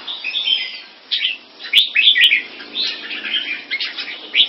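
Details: Competing display by a caged red-whiskered bulbul of a mutant crossbreed line, Singapore kept. Varied warbled phrases alternate with short pauses, including a run of bright, clipped whistles near the middle, plus two sharp clicks.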